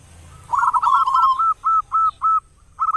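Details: Loud local zebra dove singing to prompt other doves to call, morning and evening: a quick trilled coo followed by separated, evenly spaced mellow notes, then a new phrase starting.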